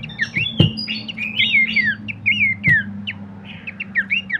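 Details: Horsfield's babbler song used to train and provoke other birds: tumbling slurred whistles and bright chirps in quick succession, with two loud knocks and a low hum in the background.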